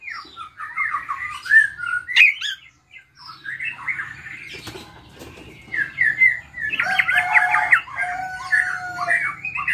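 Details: Drongo in full song with mimicked fills: slurred whistles and chattering phrases, a short silence, then buzzy harsh bursts and sustained tonal notes near the end.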